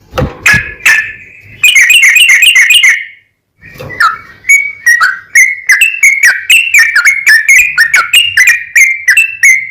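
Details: Yellow-vented bulbul singing a long, rapid phrase meant to provoke other bulbuls into song: harsh chattering bursts, a brief pause, then a fast string of rich, gurgling whistled notes.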